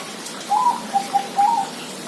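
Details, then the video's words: Zebra dove singing: a few soft, short cooing notes in a quick, uneven sequence, with a brief higher note near the end, over a steady background hiss. "suara perkutut"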